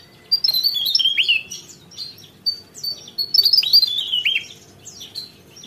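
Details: Rolling 'gacor ngerol' song from a Javan tesia: two rapid cascades of high, sharp notes sliding downward, separated by about a second of quieter chips.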